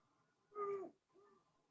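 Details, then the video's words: A great horned owl, hooting in winter ahead of nesting, mainly heard at night, gives a low, slightly falling hoot followed by a shorter, softer second note in an otherwise quiet setting. "that's the call of a great horned owl"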